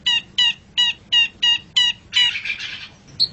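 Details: Pet long-tailed shrike training song: six evenly spaced nasal, harmonic notes about every 0.4 seconds, followed by a rough buzzy phrase and a final thin high note.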